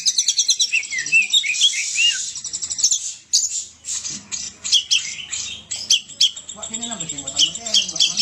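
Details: Oriental magpie-robin singing vigorously: opens with a string of descending whistled slurs, then rapid high chirps and twitters. Lower wavering notes appear near the end.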